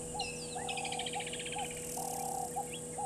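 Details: At a waterhole on Djuma Game Reserve, Sabi Sand Wildtuin, South Africa, Burchell's starlings call from a tree at 15:00, 12/11/2022: a long rasping, buzzy churr sliding slightly downward, after a whistled upslur, over repeated low hoots.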